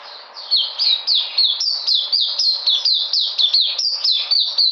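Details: White-eye (puteh) recorded 13 February 2020, regaining its energy, singing a fast series of high, sharp notes that slide downward, about four per second, in a steady bright twitter.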